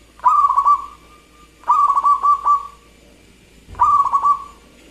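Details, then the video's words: A local zebra dove with a crystal voice sings eagerly, giving three rippling coo phrases about one and a half seconds apart. Each phrase is a burst of rapid pulses with a soft fading end. "Perkutut Lokal Gacor Suara Kristal"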